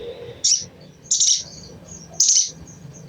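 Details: Crimson sunbird calls meant to trigger singing: three sharp, scratchy high-pitched chip bursts about a second apart, with faint thin notes between them.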